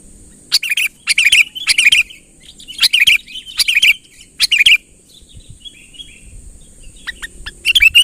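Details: Sooty-headed bulbul calling vigorously to summon a rival closer. Six strong, buzzy, chirping bursts come roughly every half second, then a quieter stretch of faint notes before one final burst, over a steady high tone.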